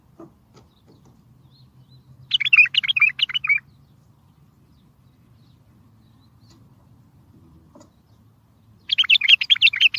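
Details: Loud bulbul song played to make distant bulbuls respond, for catching them: two chattering phrases of rapid, slurred notes, about six seconds apart, with faint low rumble and a few soft clicks between.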